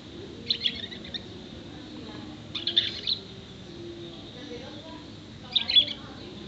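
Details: Six-month-old canary singing a song filled with imitations of sparrow, male and female prinia, white-eye, blackthroat, bar-winged prinia and whistles. Three short bursts of high, rapid chirping twitters, each under a second, separated by quiet pauses, over low steady background hum.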